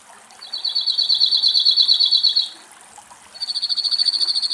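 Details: Cirl bunting song in Greek forest as a male and a probably juvenile bird bathe at a bird pool: a long, even, buzzing trill of about two seconds, a pause, then a second trill beginning.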